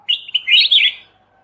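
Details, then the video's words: A single fast, dense warbled phrase of tumbling whistles from a Kutilang emas mata putih bulbul, recorded as a master for training songbirds. "suara masteran Kutilang emas mata putih"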